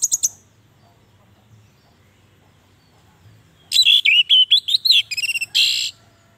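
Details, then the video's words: Orange-headed thrush song used to draw out song from reluctant caged birds; after a short note and quiet low background hum, a dense burst of rapid whistled and buzzy notes runs for about two seconds. "Suara Anis merah panggilan, pancingan, masteran, terapi, Untuk Anis merah yang Macet & malas bunyi"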